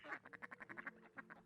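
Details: Young mallards, old enough to have left their parents but still together, on a UK wetland marsh beside a path in summer 2020, give a rapid run of about ten harsh, buzzy, nasal quacks in just over a second, then a few more.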